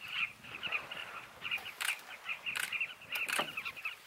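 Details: Many nesting Carmine Bee-eaters at a colony on a canyon along the Zambezi, heard from canoes, calling together: a dense chatter of short, rolling, throaty notes with some broadband bursts of noise.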